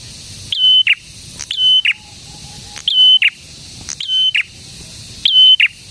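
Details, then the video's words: Prinia song offered as bait for other prinias and to make mute birds sing; five shrill flat whistles, each preceded by an upslurred note and followed by a harsh downward buzz, spaced unevenly. "BURUNG PRENJAK GACOR INI AMPUH UNTUK MIKAT PRENJAK DAN PANCINGAN PRENJAK BISU AGAR CEPAT BUNYI‼️"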